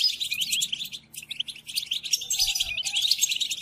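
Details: European goldfinch song played to captive goldfinches during song training: fast, bright twittering with buzzy trills, a brief lull after the first second, then rich chatter again.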